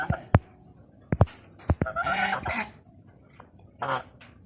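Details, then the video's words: A black swan gives a short, nasal, bugling call, with a few sharp knocks before it and a brief rough burst near the end. "Swan Sounds"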